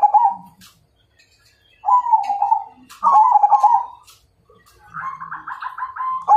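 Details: ['Perkutut Majapahit zebra dove, singing a fighting challenge: a series of pulsed, rolling coos, the last one higher and evenly beaded, with clicks and light knocking sounds between them.']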